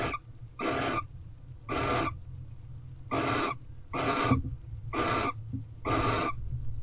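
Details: Nest-box barn owls in the mating season, 28 February 2023. Six raspy, hissed screeches, each about half a second long, come in a steady series roughly once per second, with a low background rumble.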